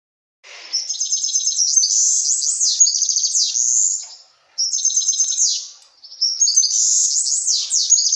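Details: European serin singing excitedly to a female goldfinch: three long bursts of very high, jangling, fizzy twittering with rapid sweeping notes, split by brief pauses, loud and clear.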